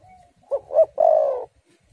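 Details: Spotted dove in full song of the style called "angin ribut", used to lure doves and prompt them to sing. Low mellow coos: two short rounded notes followed by a longer drawn-out coo, in a quiet setting.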